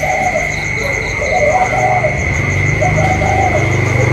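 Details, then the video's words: Spotted dove contest between a caged decoy and a wild bird, 27 October 2022; mellow cooing phrases rise and fall across the recording with a low rumbling hum and a constant high whine behind. "chim cu còi trong đấu với thổ ngoài"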